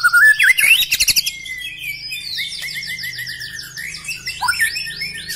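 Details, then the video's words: Black-legged white-rumped shama song opening with a rapid warbled whistle run, then a long sustained whistled note overlaid with high buzzy trills and rattling series, closing with short upslurred whistles. "Ciri khas gaya dan Suara murai Batu kaki hitam istimewa"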